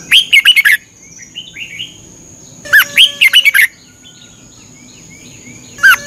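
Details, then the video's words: Red-whiskered bulbul, a caged bird from Thailand, singing as morning training for learning song. Bubbly phrases of five or six rapid whistles repeat every two to three seconds, with softer twittering between and a steady high tone. "นกกรงหัวจุก ฝึกหงอนเป็นเวลา 30 นาทีทุกเช้าเพื่อช่วยให้นกเรียนรู้ที่จะพูดได้อย่างรว"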